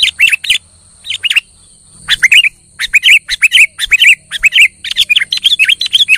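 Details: Lively kutilang song used to stir a silent bird to sing: short groups of clear, slurred whistles and chirps separated by gaps, growing denser and more continuous toward the end, over a faint constant high-pitched hiss.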